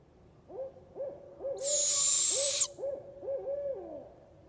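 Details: Barred Owl in central Texas giving its "who cooks for you" call, a rhythmic series of about eight deep hoots, several with drawn-out sliding ends; a loud, high whistling hiss cuts across the middle.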